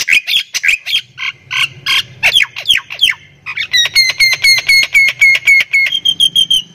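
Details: Javan myna of Thailand stock singing energetically and cackling like human laughter: harsh squawks and downslurred notes at first, then a rapid evenly spaced run of bright metallic notes, ending in a buzzy sustained note.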